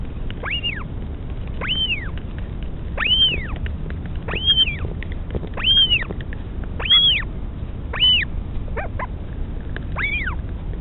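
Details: Northern royal albatross at a nest in the colony at Pukekura/Taiaroa Head near Dunedin, New Zealand, as a mother feeds her chick: a series of arched, whistled calls that rise and then fall, about every second, over a steady low rumble.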